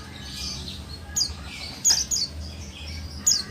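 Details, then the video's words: Female buxtoni white-eye calling to prompt males to sing: a few piercing high chirps, one single and then a quick cluster, with soft background noise. "Call suara pleci buxtoni betina 100% ampuh untuk pleci jantan malas bunyi pasti ikut nyaut"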